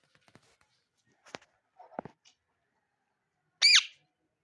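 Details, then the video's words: Indian ringneck parakeet, with a few soft clicks and muffled taps first, then a single loud, rough, arching screech near the end; the background is otherwise silent. "Loud Parrot Chirping | Natural Parrot Sounds | Parrot Calling Sound"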